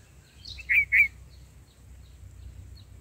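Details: Black-headed bulbul mother feeding baby birds in the nest: a pair of loud, scratchy double notes preceded by a softer squeak, followed by a few faint high chips in a quiet outdoor setting.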